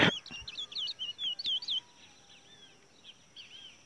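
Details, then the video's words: Caged Towa Towa seed finch singing in a bird race song contest: a rapid burst of bright, twisting whistled notes for under two seconds, then fainter scattered notes against a steady high hiss. "Bad Towa Towa/Curio/Bullfinch Bird Race/Ramp"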